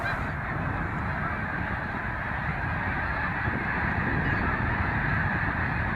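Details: Snow Geese in Canada on 26 April, a huge flock taking off at sunrise from the water where they spent the night to feed in the fields; a dense, continuous wall of overlapping honks with a low rumble beneath.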